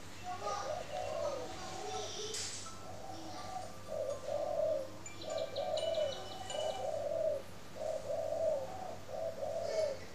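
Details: Morning cooing of Spotted doves at a bird farm in Ba Vì, Hanoi, Vietnam: a steady run of low hollow coo phrases, roughly one per second, with faint chirps of other small birds in the background.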